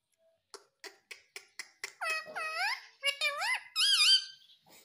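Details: Baby pet ringneck parrot indoors: about seven soft clicks or taps, then a run of loud, harsh, wavering squawks that rise and fall in pitch, ending in the highest, most strained notes.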